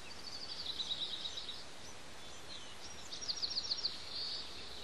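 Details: Two young Bald Eagle chicks on a nest on Santa Cruz Island, calling noisily while their parents feed them: thin high chittering in quick runs of six to ten notes, two bursts separated by a pause, over steady background hiss.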